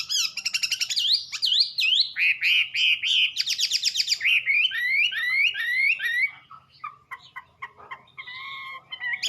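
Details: Melodious Wambi song, a dense run of loud slurred whistles and upswept notes sweeping up and down, ending in quieter, steadier tonal phrases with brief gaps.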